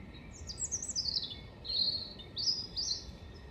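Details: European robin singing in Hengelo, 5 May 2018: high, thin warbling phrases with sliding whistles and trills in the upper register, a descending twittering run followed by short rising and falling notes, with a faint background hum.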